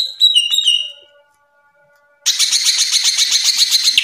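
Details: Greater green leafbird, gacor tembakan song used as a master recording: a few bright whistled notes, a quiet gap of about a second, then an intense fast buzzy trill continuing to the end.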